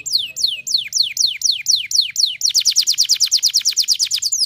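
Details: Canary singing: a run of about eight loud descending whistled sweeps, then a rapid, evenly pulsed trill of short high notes lasting about two seconds.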